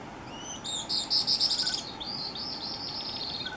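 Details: A Rusty-fronted Canastero, a Peruvian endemic of dry intermontane valleys, at Hucarpay, Cusco, gives a quick run of high, sharp chirps, then a second series of thin, slightly slurred notes. Faint background hiss.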